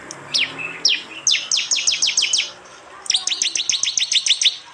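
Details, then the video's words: A prinia repeats sharp falling chirps in loose runs, then a faster even series of bright high notes; phone recording from East Java, Indonesia, blended with jali sounds for training cage birds. "Tembakan prenjak jali keras"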